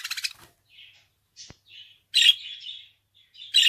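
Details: Budgerigar giving scattered notes: a buzzy burst at the start, soft thin chirps, a quick click, then two loud harsh buzzes with chattering between, in a quiet setting.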